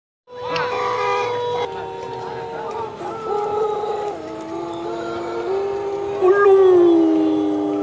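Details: A champion contest Pelung rooster from Sukawening gives one long, drawn-out crow, held steady and slowly sinking in pitch.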